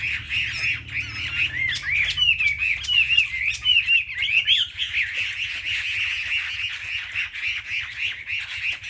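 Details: Several selected Chinese hwameis sing competitively together in a dense, overlapping chorus of loud, rich whistles and rapid warbled phrases, with a few clearer rising notes standing out.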